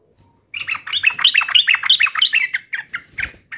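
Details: Agitated sooty-headed bulbul in fighting mode giving a fast, bubbling run of slurred chirps that starts abruptly, then slows into a few separate notes near the end.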